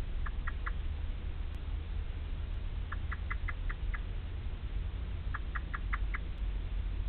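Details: Male Eurasian blackbird bringing food to the nest for the first time, calling for chicks that have not yet hatched and so do not answer; short clipped notes given in quick groups of three to six, with steady low background rumble.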